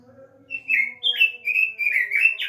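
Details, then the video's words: Kept robin song played as a lure to prompt another bird to sing, with a string of sweet, slurred whistled notes rising and falling, starting after half a second over a faint steady hum. "pancingan burung robin"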